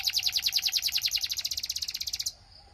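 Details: Belgian canary song, played to prompt other canaries to sing: a fast, high, rattling trill of about twenty-five even notes, roughly ten a second, stopping abruptly after two seconds.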